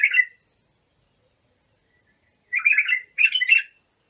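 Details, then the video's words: Bulbul song used for training young bulbuls: a short warbled phrase, then silence, then two rich, gurgling phrases in quick succession. Quiet background. "تغريد بلابل ابو شعيب لتخريج البلابل"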